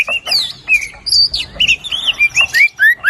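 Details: White-rumped shama song used to get a lazy bird singing: bright whistled slurs, rising and falling notes in short bursts separated by brief pauses.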